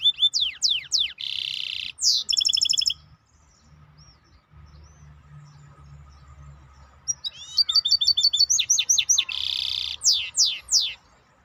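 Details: Maestro bird in full song: falling whistles, a dense buzz, a clipped rapid trill, a quiet gap, then resumed fast chirps and loud downward-slurred whistles.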